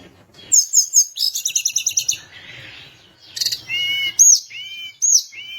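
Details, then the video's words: Sunda minivet singing hard to provoke a rival bird: fast rattling trills of very high notes, then clear arched whistles repeated about every second, each dropping slightly, over a quiet background. "Tledekan gunung gacor bikin lawan emosi langsung bunyi"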